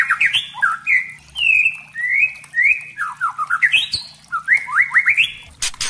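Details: A captive white-rumped shama (murai trotol) sings a rich lure song meant to rouse other shamas. It strings together varied whistles: slurred downward notes, rising sweeps and fast clustered chirps. A brief harsh noise comes near the end.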